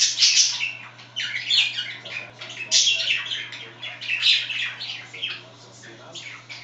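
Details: Indoor chatter from two pet budgerigars: continuous warbling with rapid clicks, squeaks and raspy notes in bursts that swell and fade roughly every second, with no other sounds.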